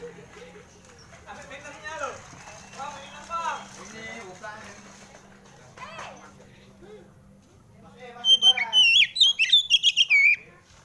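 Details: Male Oriental magpie-robin (kacer) calling in search of a rival, used as a lure to prompt singing; after eight seconds of mixed chattering sounds comes a loud, shrill burst of rapidly warbled, whistled phrases lasting about two and a half seconds.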